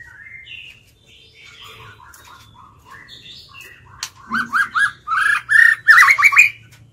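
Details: White-rumped shama kept as a lure bird, singing in a wild-style voice to provoke rivals: soft varied whistles building into loud repeated rising notes about three per second, ending in a rich warbled flourish.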